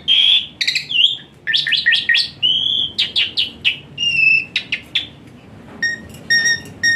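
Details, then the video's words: Jalak suren song with dense fill-ins, meant as therapy for a lazy starling: quick series of rising whistles and crisp clicks, a pause, then a few thin, evenly spaced high chirps at the end. "Full Isian Mewah TEMBAKAN PANAS Khas Jalak Suren UNTUK TERAPI Jalak Suren Malas Bunyi Jadi Rajin"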